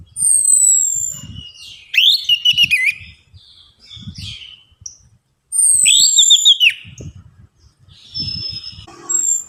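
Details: Lure recording of an orange-headed thrush for stimulating singing. Two long loud bursts of varied high whistles, chattery notes and swooping slurs, separated by quieter scratchy notes and a brief silence, with low thuds in the background.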